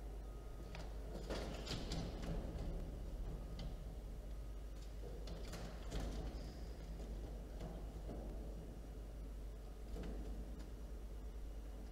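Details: Low rumbling background noise with scattered knocks, scrapes and brief sliding sounds, and no clear animal voice.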